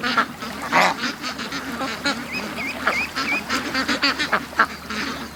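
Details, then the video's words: Ducks streaming out of their pen to the creek on a morning rush after an extra hour's wait; harsh quacks crowd together, with a few thin, wavering whistled notes threaded among them. "Ducks At The Creek Morning Rush"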